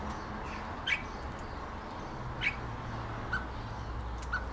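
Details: A European starling imitating the songs and calls of other birds: four spaced notes, two rough squawks followed by two short clear whistles, over low steady background hum.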